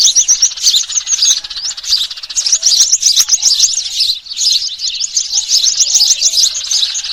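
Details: Sparrows versus small birds in a noisy trapping lure dated 3 June 2023. Thick, high-pitched chorus of chirps and buzzy twitters, plus a few soft, lower whistled notes in the second half.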